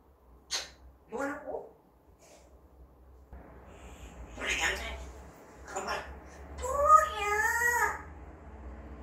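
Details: A pet parrot mimicking speech indoors, including words it was never taught, in short voice-like bursts ending with a longer warbling, word-like phrase; a quiet room behind it.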